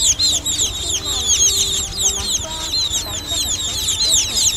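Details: Juvenile munia calls meant for luring birds into nets: busy overlapping high chirps and short downslurred twitters pour out without a break, with faint lower tonal notes in the background.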